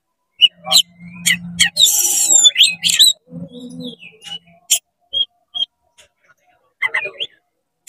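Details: Oriental magpie-robin in agitated, fast song aimed at provoking other magpie-robins: harsh buzzes, quick chirps and a few whistled notes, broken up by pauses, over a low droning hum early on.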